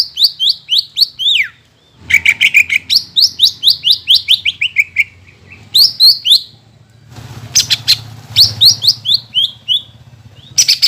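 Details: Lure song of a greater green leafbird meant to rouse birds after moulting: fast cascades of high, downward-slurred whistles, some quickly repeated, with a rushing background noise in the second half.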